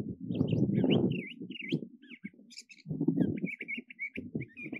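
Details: Curve-billed thrasher, a desert bird that can mimic other species, singing varied short whistled and chattering phrases, some rising, others warbled, over a strong low rumble of wind or handling noise.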